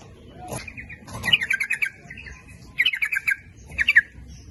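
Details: Sooty-headed bulbul lure song meant to draw in males and females, in the rapid 'nguplik ropel' style: three bursts of quick bubbly notes, each of five to seven, near the same pitch, with soft background rustling.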